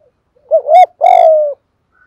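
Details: One loud, mellow coo phrase from a spotted dove played as a decoy to attract wild birds: a quick wavering lead-in, then a sustained hoot slowly sliding lower, with a ringing, overtone-rich quality.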